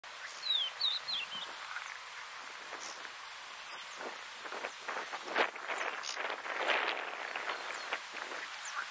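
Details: Crested lark of the Cyprus subspecies (Galerida cristata cypriaca) at Paphos, Cyprus, in April 2023, gives a few clear, sliding, high, sweet fluted whistles at the start, then fades under broad rustling wind noise.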